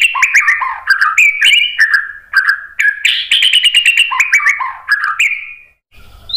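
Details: Continuous varied warbling from a white-rumped shama, used as a lure so other birds answer: mixed slurred whistles and chattering notes with hardly a break.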